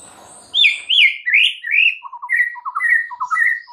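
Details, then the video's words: White-rumped shama song meant to provoke other shamas: looping, warbled whistles sliding up and down, then lower rapid doubled notes alternating with short mid-pitched whistles, over faint background hiss. "PANCINGAN Murai Batu bikin langsung EMOSI murai manapun saat mendengarnya"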